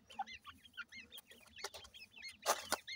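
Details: Partridge chicks playing give a rapid series of short, arched, high chirps, many overlapping. Sharp clicks and tapping noises break in, loudest near the end.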